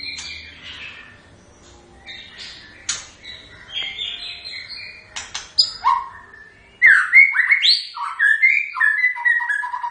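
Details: White-rumped shama singing a long, varied song: softer mixed chattering and scratchy notes, then a sudden loud burst of quick, rich, slurred whistles leaping between high and low pitches.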